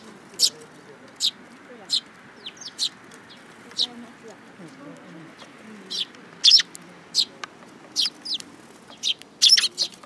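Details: Sparrows at a Tenmangu shrine in Japan, coming to take food from a hand, recorded 7 July 2022; short high chirps scattered irregularly, about twenty a minute, some in quick pairs, over a faint low background hum.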